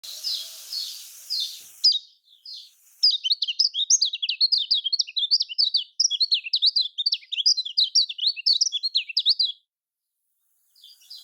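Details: Lemon-bellied white-eye (kecial kuning) of Lombok, Indonesia, in rapid high twittering song: dense run of sharp, zigzagging chirps for about six seconds after a brief softer opening, ending abruptly.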